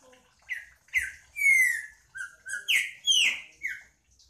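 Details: Green-winged saltator sings a rich phrase of whistles: short rising notes, a long bright falling slur, then several strong descending whistles in steady sequence.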